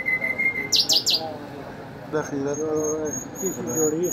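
Nightingale singing a varied phrase: a thin held whistle, three quick high downslurred notes, then lower rolling warbles, with a faint high steady tone behind.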